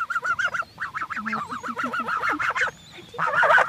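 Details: Several geese calling together in 2014, a dense run of nasal, harmonic honks repeated in quick succession, with a few lower grunting notes mixed in and a loud burst of overlapping honks at the end.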